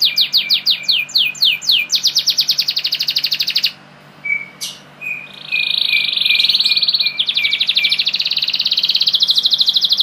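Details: From caged pure-bred Giboso Español canaries: descending whistled notes speeding into a rapid trill, a short gap with a thin note, then a long, even buzzing roll, over a soft background hum.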